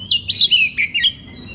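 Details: Oriental magpie-robin singing at night in an open, full-voiced style, used as a lure to get young birds to answer: a quick run of high, sweeping whistled and slurred notes that fades into quiet after about a second.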